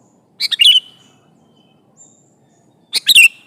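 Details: Lively sooty-headed bulbul calling out to a rival: two brisk chirpy phrases about two and a half seconds apart, each a cluster of quick notes sliding down into a short trailing whistle, with near silence between.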